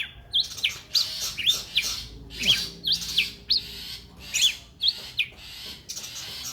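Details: Long-tailed shrike, a champion contest bird, repeating short high notes that dip sharply, given in quick pairs about every half second, mixed with rasping buzzes; faint hum beneath.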